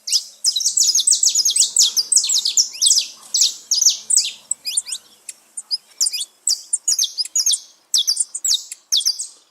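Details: Wild saffron finches gathered together in nature, a dense chorus of bright, high-pitched chirps and short tweets crowding the first half, then thinning into separate sharp notes from several birds.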